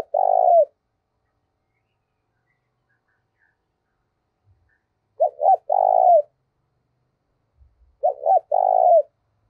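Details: Spotted dove cooing to provoke rivals, used as a decoy. After the end of one coo comes a long gap, then two full phrases about three seconds apart, each two short notes and a long steady coo, with faint low thumps.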